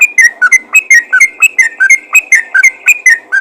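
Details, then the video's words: Yellow-vented bulbul giving fast 'ropel' calls to draw other bulbuls: crisp whistled notes stepping up and down in pitch, delivered about four per second in a steady, loud stream. "panggilan burung trucukan ropel gacor memanggil trucukan lain"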